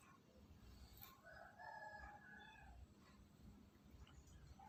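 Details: A bantam rooster searching for food gives a faint, drawn-out harmonic crow lasting over a second, heard amid a steady low background rumble.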